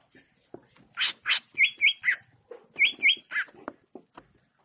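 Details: Greater green leafbird delivering a lively song of loud buzzy chirps and paired, clipped whistled notes, the sequence repeated twice in quick succession, with softer chattering notes before and after.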